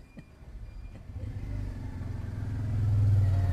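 A low engine rumble of a passing vehicle builds in loudness, with a couple of faint clicks early on and no animal voice.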